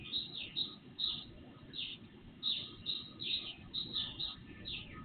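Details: Birds singing in the dark before sunrise, captured by a surveillance camera; sharp high chirps come in separate bursts about every half second, with a constant low hum underneath.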